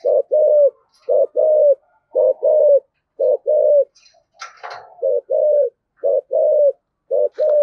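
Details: Spotted dove decoy singing "giọng thổ" style. Paired low coos, each falling at the end, repeat about once a second. A short scraping noise interrupts midway.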